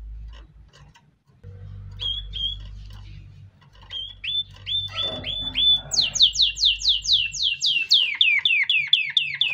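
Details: Canary singing for training chicks: soft scattered chirps and short whistles over a low hum, building into a clear series of loud downward-slurred notes, about two per second.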